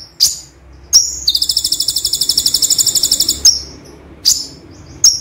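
A gray-chinned sunbird gives sharp, very high chips, then a fast buzzy trill of about twenty notes over two seconds, mixing in phrases borrowed from other birds.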